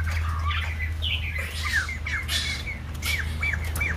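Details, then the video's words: Young white-crested laughingthrush in voice training: scattered slurred whistles and downward-sweeping notes mixed with harsh raspy bursts, over constant low hum. "Khướu Đầu Bạc / Chim Bồ Chao / Ép Giọng Chim Non"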